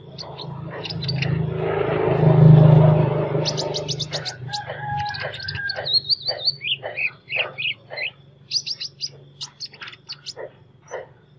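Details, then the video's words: Sunbird with an unusual voice: a loud low rushing noise fills the first few seconds, then quick high chirps and thin squeaky trills follow in a rapid, fairly regular series. "Chim Hút Mật Hót Giọng Lạ"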